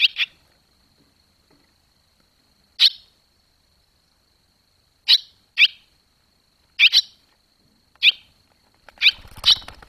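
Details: Barn swallows near the nest in July 2023 as the young fledge; sharp, scattered chirps spaced a second or more apart, some doubled, over a steady high electronic whine, with a short burst of low rustling at the end.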